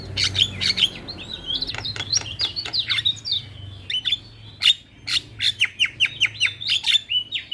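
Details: Javan myna lure song meant to coax a silent bird into singing: dry clicks and rattles mixed with high whistled slurs, ending in a fast series of short repeated chirps over a faint low hum.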